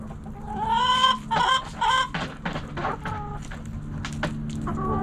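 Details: Backyard hens clucking, with roosters crowing nearby: a rising harmonic squawk followed by a burst of short, broad, irregular clucks, about two per second, over a low steady hum.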